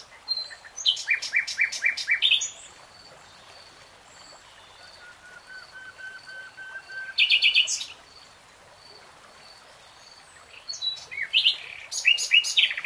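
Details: Common nightingale singing in bursts of rapid, harsh, clicking trills, separated by a long quiet passage of soft, evenly spaced piping notes, with a faint steady hiss behind.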